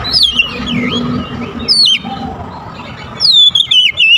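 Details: Kacer (oriental magpie-robin) lure song for attracting birds: wavering whistled phrases that dip and rise, a brief pause, then a bright descending run of notes near the end.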